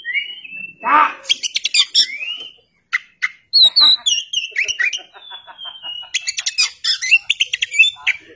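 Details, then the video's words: An Oriental magpie-robin (kacer) delivers a rich, varied run of clear whistles, rising and falling slurs, quick chips and a few harsh, scratchy notes, with brief pauses between phrases. "kacer (oriental magpie robin)"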